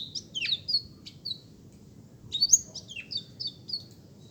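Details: Softer, more distant black-throated canary song: scattered high whistled notes and brief trills over a steady low background rumble.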